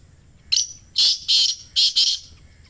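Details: Harsh black francolin phrase for encouraging caged francolins to call: a brief high lead note, then four grating bursts in two pairs, over a faint low hum.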